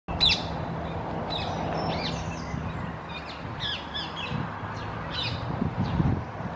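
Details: A Blue-crowned Parakeet, described as "in love" and tagged as an urban garden bird, gives short, harsh, squeaky chattering notes in scattered bursts over a steady low hum and background noise.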